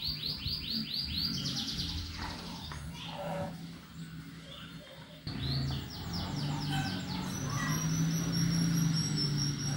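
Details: Canary in full ngetik song, offered as a lure to get other birds singing: fast series of repeated downward-sweeping notes, about three per second, in bursts with brief pauses, over a steady low-pitched hum.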